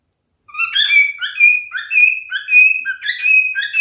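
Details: Continuous song from a male cockatiel: after a brief silence, a steady stream of clear, slurred whistles alternates between lower and higher notes, about two or three per second.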